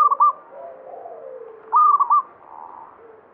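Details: Banyumili zebra dove giving two loud, quick, broken coo phrases about 1.7 seconds apart, with faint lower sliding notes between them.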